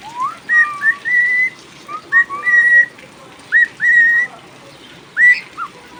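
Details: Cockatiel kept as a pet, whistling while rain falls: bright level and upswept whistled notes in clustered phrases with brief pauses, the last note sharply rising, against a soft constant rain hiss.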